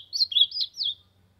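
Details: Ultramarine grosbeak from the sertão singing to warm up: one quick warbled phrase of four slurred, high whistled notes rising and falling over about a second, then silence, with a faint low hum underneath.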